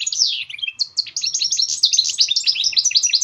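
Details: A goldfinch mule pours out continuous high twittering song, quick rolling trills and sharp chirps packed tightly together without pause, as birdsong for motivating other birds to sing.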